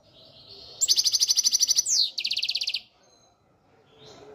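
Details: European goldfinch in peak condition, Algeria–Morocco: a rapid pulsed trill of a dozen bright, high notes, a sweeping slurred note, then a second quick ringing trill, ending in near silence with a faint soft call.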